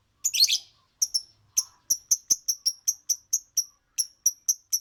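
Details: A lovebird sings a scratchy opening burst, then a fast series of thin, sharp high chirps repeated several times per second.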